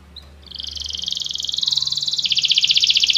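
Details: Canary training song: a fast, pulsing buzzy trill rising in loudness over three seconds, with faint low hum underneath.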